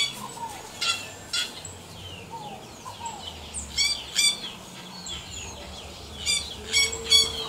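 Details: Wild yellow-rumped cacique song made of sharp stacked clicking, crackling notes in short bursts, mixed with low downslurred whistles and a steady low whistle near the end.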